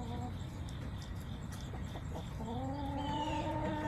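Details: Backyard chicken flock, September 20, 2024: quiet ticking sounds, then a sustained rising harmonic call from a hen over the last second and a half, against low rumble and a high steady hum.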